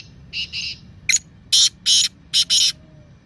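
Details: Black francolin (Kala Teetar) calling, a track meant to stir silent pet francolins into calling: two softer grating notes, then a loud harsh phrase of one short click and four rasping buzzy notes in quick rhythm.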